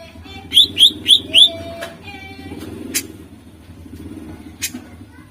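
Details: Greater green leafbird song, used as a lure for contest birds: four quick, bright upslurred whistles in a tight run, then a quiet stretch with a low hum and a few faint clicks.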